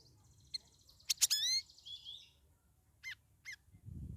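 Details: Captive Straw-headed Bulbul (cucak rawis), in its second week out of a communal holding cage, singing vigorously: a quick burst of bright rich whistles with a clear falling note, then two short separate whistled notes, and a low rumble at the end.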